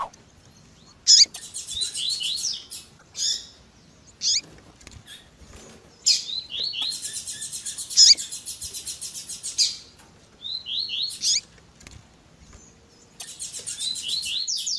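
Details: Double-collared seedeater singing the 'tui tui zel zel' pattern alongside female calls, edited to stimulate seedeaters: four bursts of very high, fast trilled phrases with falling slurred notes, separated by short pauses.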